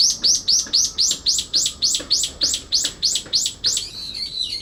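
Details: Brown-eared bulbul in a late-September territorial dispute in a cherry tree, calling to mask a rival's clear-voiced song; a rapid run of about thirteen sharp, piercing downslurred notes, roughly three per second, ending in a wavering shrill note.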